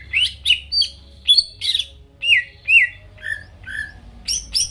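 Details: Provoking song of a greater green leafbird for stirring rival birds: separate loud whistled notes, several swooping down then up, spaced about half a second apart with harsher buzzy accents.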